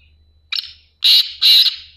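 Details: A black francolin, labelled a female yet also called "he", calls loudly after being freed from its cage: three loud, harsh, grating notes in quick succession, the last two strongest, over a faint low hum.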